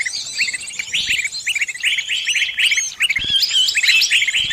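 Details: A bird caught and calling its friends for help: fast, restless chirps repeated several times a second, with overlapping voices and a few louder rising notes.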